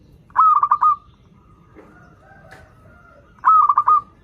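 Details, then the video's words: Local zebra dove singing energetically as a lure for learners: a rolling five-note trilled coo, faint soft sounds during the gap, then a second matching phrase about three seconds later. "PERKUTUT LOKAL GACOR Suara Merdu || pancingan paling disuka perkutut yg belajar manggung"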